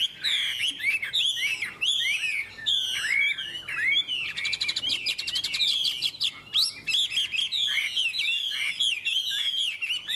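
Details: Captive Chinese hwamei in Vietnam, praised as a fine singer, delivering a dense, loud warbled song of rapid slurred whistles and sweeping notes, phrases tumbling together almost without pause over a quiet background.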